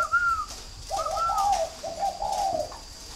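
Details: Spotted dove at a breeding farm in Ba Vì, Hanoi, northern Vietnam. A clear, higher sliding note opens the phrase, followed by a series of low, burry coos, then quiet.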